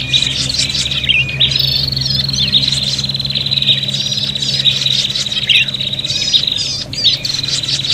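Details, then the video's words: Prinias calling excitedly while fighting, a recording for luring birds: continuous buzzing trill with interjected sharp chirps and scratchy notes, barely pausing, over a constant low hum. "suara prenjak pikat ribut tarung"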